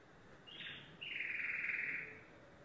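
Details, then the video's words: A brief high note from a yellow domestic canary is followed by one long, dense, rapid trill that swells and fades away. "canary singing"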